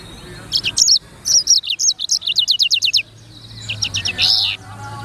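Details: A black-throated canary, called sanger, sings energetic phrases of quick high chirps strung into fast runs, pausing briefly before a softer twittering burst.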